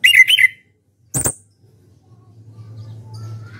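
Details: Orange-headed thrush, a contest champion singing ngeplong, opens with two quick rich warbled notes, adds a sharp high click-whistle a second later, then only a low hum remains.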